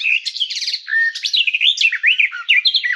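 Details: Garden warbler (Sylvia borin) singing a rapid, continuous warbling phrase of varied chattering and whistled notes, fast rising and falling fragments with no pauses.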